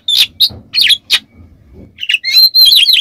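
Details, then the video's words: Oriental magpie-robin, or kacer, lure song with coarse fill: a few separated harsh chirps, then a quiet gap with faint low rumble, ending in a quick run of whistled and buzzy notes. "Kacer TELER KONSLET materi full Besetan Kasar PANCINGAN Kacer Mandek Langsung Ikut KONSLET"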